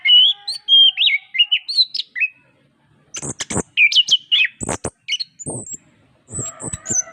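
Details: Anis kembang, the orange-headed thrush, in a recording for stimulating reluctant singers: looping whistled phrases at first, then a brief pause and a burst of sharp clicks and high chattering notes.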